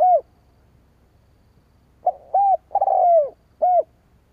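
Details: Spotted dove call used to provoke and lure wild doves: low, hollow coos arching up and down, one note, a pause of nearly two seconds, then a quick burst of three coos including a longer drawn-out falling one.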